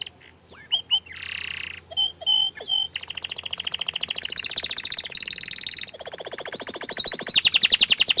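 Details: Hidden canary in full song, opening with a few separate sweeping whistles, then long rapid trills and rolling tours, switching to a higher, faster buzzing trill near the end.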